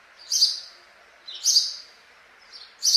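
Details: A house sparrow gives bright, sharp chirps, one roughly every second and a half, with quiet pauses between and no other sounds.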